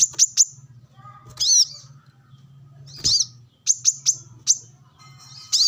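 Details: Brown-throated sunbird sunbathing and challenging rivals, with wild birds around. Quick pairs and triplets of thin, very high chirps are separated by pauses over a steady low hum.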